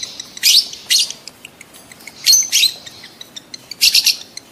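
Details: Shrill, harsh lovebird chirps in three paired bursts about 1.5 seconds apart, played to stimulate adult lovebirds to mate quickly.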